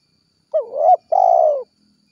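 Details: Tekukur, the spotted dove, giving its 'gacor kuk 1' call to summon companions: one curved hooting note, then a sustained vibrating coo that slowly drops in pitch, with nothing else audible.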